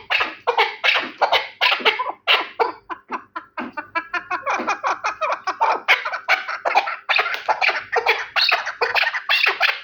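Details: Dense, rapid chattering chuk notes from a Terali chukar partridge, called the best of partridges, running almost continuously and speeding up in the middle of the series.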